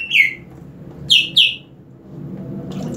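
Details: Green leafbird sprayed with water, singing harder: one rich downslurred whistle, a short pause, then two sharper whistles in quick succession, with soft splashing at the end.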